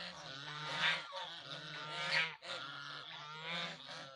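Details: Goose honks run together in long, rough, nasal calls, two or three per stretch, almost without pause.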